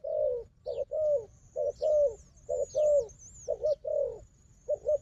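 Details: Wild dove strong at fighting, facing a strong decoy dove: low cooing in clusters, short doubled notes followed by a longer, slightly falling coo, repeated about once a second, with thin high whistles of other birds above.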